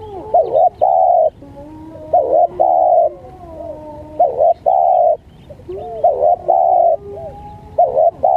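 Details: Spotted dove calls, recorded for luring birds and long tutoring of caged birds: loud, mellow cooing notes in paired bursts roughly every two seconds, with softer lower coos between them and quiet background.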